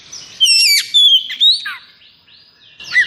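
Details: Kacer, an oriental magpie-robin in 'konslet' condition with high breeding drive, emotion and energy, gives a short outburst of bright whistles and downward-slurred notes. A fainter phrase follows.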